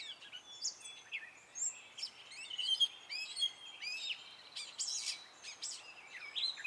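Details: Male Gray catbird singing in spring, a varied run of short squeaky, mewing and chirping notes, some slurred up or down, with brief pauses between phrases and faint background hiss.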